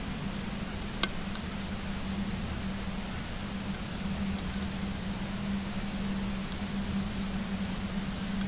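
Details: Constant hiss over a low droning hum, with one brief click and no animal sounds.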